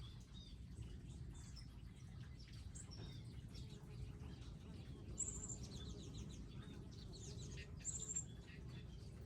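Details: Wild birds at a specially designed garden feeding area with feeders, seeds and water: scattered thin high chirps and short tweets from several birds, with a steady low rumble underneath throughout.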